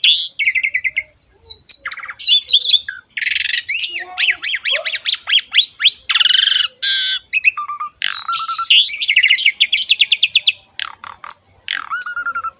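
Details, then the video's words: Asian pied starling singing a varied, energetic song used to train other songbirds: rapid whistled sweeps, harsh squawks, buzzy bursts and repeated rising notes packed densely together, many high-pitched. "MASTERAN BURUNG JALAK SUREN SUPER GACOR PALING DICARI"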